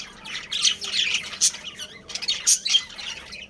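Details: Budgerigar breeding colony: a mix of harsh squawks and high, thin chirps rises and falls in short, busy bursts from several birds.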